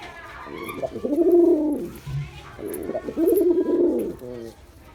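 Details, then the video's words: Girabaj pigeon, male, during its performance: two long, resonant rolling coos that rise and fall in pitch, with a brief soft grunt between them. "Pigeon Sound Effect || Male Pigeon Super Performance || Girabaj Pigeon"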